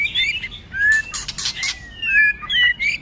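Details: White-rumped shama singing a fighting song in many voices, kept in form through the cold season; rich whistled phrases, some rising and some falling, mixed with sharp clicking bursts and tail-flicking sounds.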